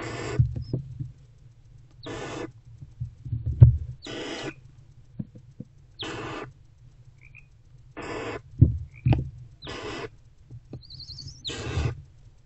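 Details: Mother barn owl and older owlet together in a nest box, pre-dawn 20 February 2024, 4:41–4:46 am; a series of seven rasping, breathy hisses, each about a third of a second, coming roughly every one and a half to two seconds, with thumps and shuffling between.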